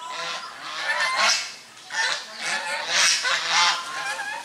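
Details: Domestic swan geese with grey domestic geese drying their bodies, recorded on a Sony HDR camera. Loud, harsh, trumpeting honks rise and fall in about four strong bursts, several birds calling at once.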